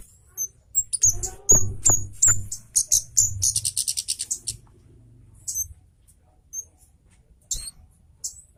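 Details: Orange-headed thrush of the Javan cabe type, agitated and singing fast with tight, sharp bursts, used as a tutor recording: high thin chirps and a quick run of rapid notes, mixed with loud knocking clicks and low background rumble.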